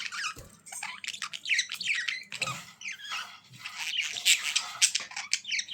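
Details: Budgies chattering continuously, a tangle of high squeaks, warbled notes and scratchy calls overlapping from several birds.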